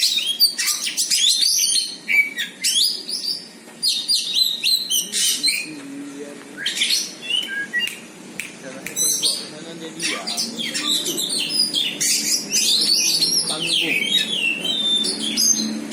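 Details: Oriental magpie-robin singing on meeting a rival and fighting back. High, varied whistles and sharp chirps come in rapid, dense bursts, with faint voices in the background.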